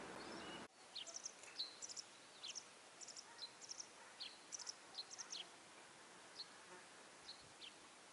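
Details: Fledgling masked wagtails, out of the nest but unable to feed alone, shrilling for food as their mother searches for insects; a rapid series of thin, high, downslurred chips, clustered in bursts, after a brief rumble at the start.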